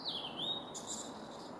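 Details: Singing male blue-and-white flycatcher, Kawaguchiko Field Center, Japan, 4 May 2017: one long high whistle gliding down then curving up, followed by a short scratchy buzz, with faint low background noise.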